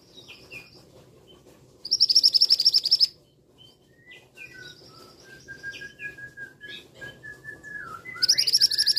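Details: Male scarlet minivet calling in two sharp bursts of fast, high, piercing notes. Between them comes a varied sequence of lower slurred whistles and short sweeping notes.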